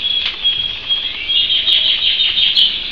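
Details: Pet canary singing a continuous high, fast trilling warble that rolls on without pause for the whole stretch, with brief sharper accents near the start and end.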